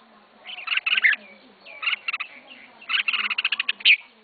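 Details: Red-whiskered bulbul in a cage, the first bird its owner is learning to keep, sings three bursts of fast stuttering chirps. The last burst ends on a loud, sharp whistled note.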